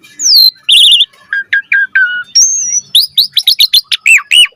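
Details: Asian pied starling (jalak suren) singing actively while puffing up, with full varied chatter: a falling whistle, a wavering trill, low slurred notes, a long thin high whistle, then rapid bright chips and slurred whistles in quick succession.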